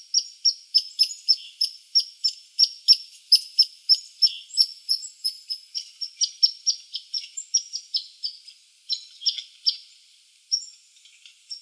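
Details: Chickadee at a suet feeder on 2 April 2019 at 5:01 PM gives a fast run of short, high notes, about three a second, steady then slightly broken toward the end.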